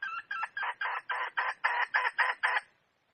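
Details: Red junglefowl hen cackling: ten loud, harsh, evenly spaced syllables in rapid succession, then silence.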